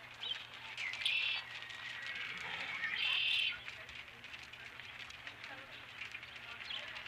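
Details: An osprey at the nest with a fish, recorded 12 April 2017: two short bursts of high, grating chirps about two seconds apart, over background hiss and a constant low electrical hum.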